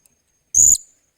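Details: Blue-crowned hanging parrot being trained as a decoy bird, recorded 28 July 2021: one short, shrill, very high squeaky note lasting about a quarter second, then silence.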